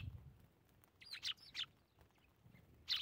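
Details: Eurasian tree sparrows at morning feeding in winter: a few sharp, short chirps in a quick pair near the middle, then a louder chirp at the end, with quiet low background noise between.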